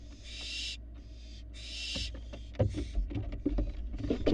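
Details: Barn owl fledglings active outside their nest box on a live Florida cam, giving broad rasping hisses in three long bursts during the first two seconds, followed by scattered clicks, knocks and scuffling.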